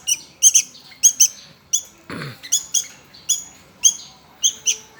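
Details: Hungry nestling Sooty-headed bulbul begging: high, thin squeaky chirps, often in quick pairs, repeated about every half second, with a brief dull thump partway through.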